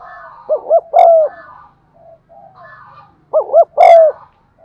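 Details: Lure recording of a spotted dove cooing to stir up wild birds: two phrases of two short rising notes plus a sustained coo, with faint softer murmuring notes between them.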